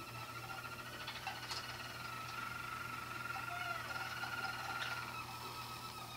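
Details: Roller canary singing at a song competition: one long, smooth, unbroken rolling tone held steadily for the whole stretch, with faint clicks and a low hum in the room.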